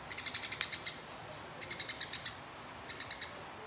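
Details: A house sparrow fighting a rival produces three quick bursts of harsh, rattling, high chatter, each made of rapidly repeated dry ticks, separated by short pauses, against a quiet background.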